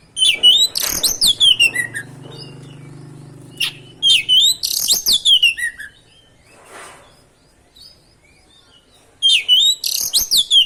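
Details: Singing oriental magpie-robin, played to provoke other magpie-robins into singing. Dense bursts of varied whistles, chips and trills come in three bouts separated by quiet stretches. A low steady hum runs beneath the first part.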